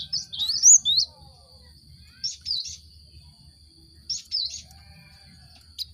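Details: Cinereous tit lure song for prompting caged birds in group cages to sing; a brief cluster of high whistled chirps opens, then short paired notes return every two seconds against a steady high hum.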